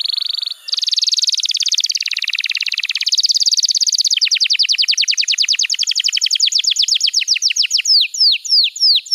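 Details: Master song for young canaries: a long dense high trill lasting several seconds, slowing into evenly repeated falling notes, then a few slow loud downward whistles at the end.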